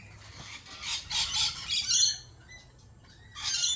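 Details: Loud, rasping lorikeet screeches in a run of bursts over the first two seconds, a short quiet gap, then another shrill burst at the end.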